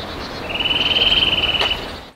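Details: Eurasian nuthatch in Söderåsen National Park, Sweden, calling on an early spring morning in March: a fast run of piping notes at a steady high pitch, held for a little over a second, with one brief faint click.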